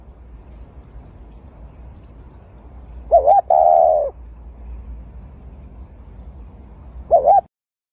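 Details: Dove tending its eggs and raising young at the nest; two short wavering tonal notes around 3 seconds, then a single similar warbled note near 7 seconds, with a quiet background hum between.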